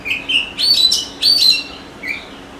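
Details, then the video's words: Oriental magpie-robin singing in a forest: a few soft whistles, then two loud, bright warbled phrases, closing with a fainter low whistle. "suara burung kacer di hutan"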